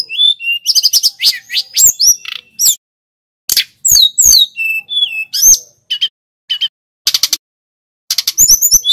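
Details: Snowy-browed flycatcher singing steadily, used to train other songbirds: bursts of high twittering whistles and sharp chips, split by gaps of about a second and a longer silence in the middle.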